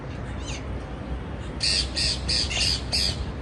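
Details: Parakeet giving a quick series of five loud harsh squawks after a faint opening note, against steady background noise.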